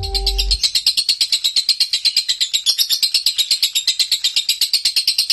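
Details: Konslet-style nonstop singing from a lovebird kept at home. A brief low hum opens, then the bird chatters without pause in rapid, evenly spaced high raspy pulses, nearly three each second.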